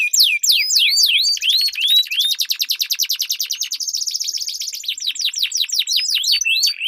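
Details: Canary song duel used as a lure for training competition birds. Sharp swept notes open into a long, even, rolling trill, then fast looping whistles return.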